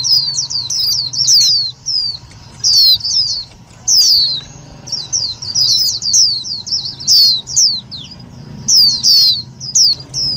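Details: Calls of an Indian white-eye, played to lure and trap birds and to excite other white-eyes: rapid series of high, thin, downslurred chirps in clustered bursts, nearly continuous, over a low background hum.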